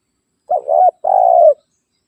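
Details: Spotted dove calling to rivals, a call used to lure wild birds closer: two low, mellow coos, the first broken and wavering, the second a longer steady note gently falling at its end, against silence.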